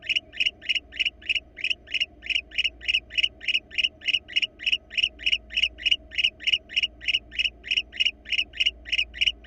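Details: Wild barn owl pair at a Florida nest box, captured on a live camera. Continuous rasping chitter made of evenly spaced short bursts, roughly three per second, over a quiet electrical-sounding hum.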